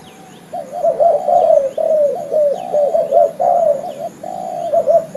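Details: Lure call of a spotted dove for trapping: a near-continuous string of rapid, rolling coos with slight wavering pitch, and faint thin bird notes above.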